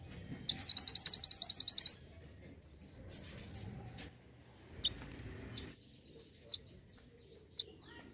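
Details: Mantenan gunung song, used to prompt caged birds into singing: a fast, loud, high trill of about eleven sharp repeated notes lasting over a second, then softer scattered chips and brief high notes over faint low background noise.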